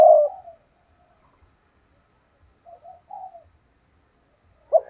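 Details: Spotted dove used as a decoy to draw in wild rivals: one loud hoarse coo, a long pause, soft murmured notes, then a sharp coo starting again at the end.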